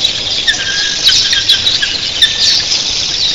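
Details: Thousands of red-billed queleas in an early morning flock, giving a dense, continuous high chattering roar, with a few short lower whistled notes standing out and occasional clicks.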